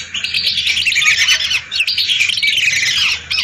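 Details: Hundreds of lesser whistling ducks calling together, a recording used as a lure: a dense, continuous chorus of high, thin whistles overlapping without pause, with brief dips in loudness.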